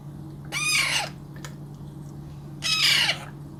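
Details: Baby Alexandrine parakeet during hand feeding: two harsh, raspy squawks about half a second long with rich harmonics, separated by a two-second pause, over a steady low electrical hum.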